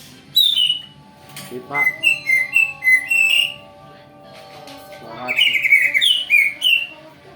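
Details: Greater green leafbird song played as a lure to draw a reply: sharp whistled notes repeated in quick bursts, a rising sweep, a steady series of chirps, then lively falling and rising whistles over a faint low hum.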